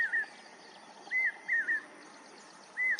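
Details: Lapwing calling outdoors: short whistled two-part notes, each a bright rising note sliding down into a lower wavering tail, given singly or in pairs with pauses of about a second, over faint background hiss.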